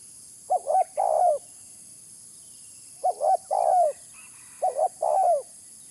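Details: Spotted dove lure call: three low cooing phrases, each two short hooted notes followed by a longer, slightly falling coo, repeated roughly every two seconds against a quiet background.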